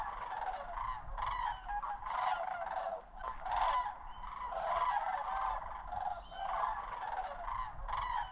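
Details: Autumn migration of sandhill cranes at Osoyoos, British Columbia, Canada; many birds give purring, rattled bugle calls in waves, swelling and fading every second or two over a faint low rumble.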